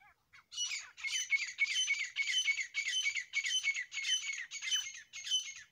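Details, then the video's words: Grey francolin, a pair calling: loud, harsh, squawking phrases repeated steadily almost twice a second for over five seconds, each burst high and grating. No other sounds. "Grey Partridge Sounds . Francolin Voice . Dasi teetar Awaz . boli . جوڑے کی آواز"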